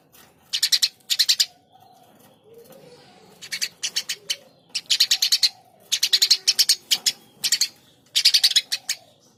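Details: Lively Eurasian tree sparrow chattering in repeated bursts of four to eight rapid, harsh, high chirps. Each burst lasts under a second and is separated by short pauses, with faint softer calls in between.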